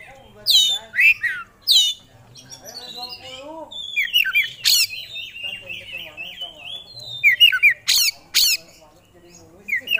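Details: Oriental magpie-robin kept by bird hobbyists, singing hard and showing off its fill-in repertoire. Harsh scratchy squawks alternate with thin whistled runs and loud sudden accents.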